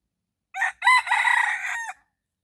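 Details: Red junglefowl, recorded in the morning with a decoy bird, gives one full crow: a clipped first syllable, a powerful second, a long vibrating stretch and a short falling end, all within roughly one and a half seconds, then quiet.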